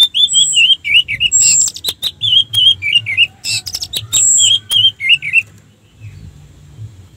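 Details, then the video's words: Orange-headed thrush in full song, used to provoke other orange-headed thrushes to answer. A busy five-second stream of rolling, looping warbled notes with thin high whistles mixed in, ending abruptly in quiet. "suara Anis merah untuk pancingan"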